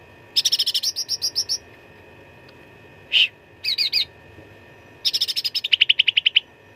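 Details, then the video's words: Cucak ranting fighting song with varied fill, meant for training contest birds: a long run of quick high chattering notes, a single sharp burst, a short stutter, then an accelerating series of clear repeated pips. "CUCAK RANTING GACOR TERBARU 2025 _ SUARA TARUNG FULL ISIAN !!!"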